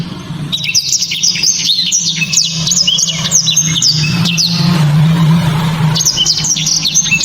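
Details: Blacktrod song, kept by songbird hobbyists for its loud, dense delivery: rapid high twittering phrases of sharp slurred whistles, pausing briefly midway before resuming, over a steady low background hum.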